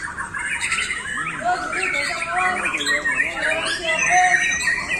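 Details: Caged competition white-rumped shama performing from a single perch with little display: quick run of sweeping whistles and chattering chirps, tumbling up and down in tightly packed phrases over a faint murmur of low sounds.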